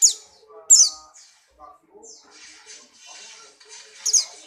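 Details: Buxtoni white-eye in full breeding condition, hopping about: piercing high chirp bursts open and close the passage, with scattered thinner twitters between them, set against soft background talk and faint low hums.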